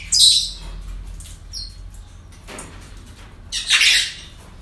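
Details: Parrots at a breeding centre on an ordinary day, with a harsh squawk at the start, a short whistled note, and a second rough squawk later over a low indoor hum.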